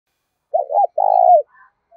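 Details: Spotted dove cooing to provoke a rival to fight and to call: one low, mellow phrase of a soft, quick double note followed by a longer, steadier hooting coo, on a silent background.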